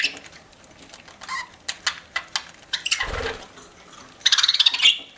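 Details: Budgie eating: a series of sharp clicks and taps with a rustling thump, ending in a quick buzzy, stuttering chirp run.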